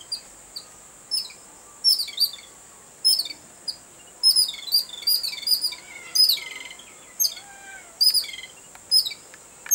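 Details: Babblers excited on seeing a cat: harsh, high chirps and squeaky notes in rapid bursts every second or so, several birds overlapping, with a steady high insect-like whine throughout.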